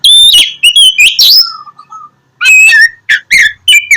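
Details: Oriental magpie-robin singing vigorously, played to coax reluctant birds into morning song: clear whistles and slurred notes, a short soft low whistled series mid-clip, then loud chopped phrases and bright rising notes.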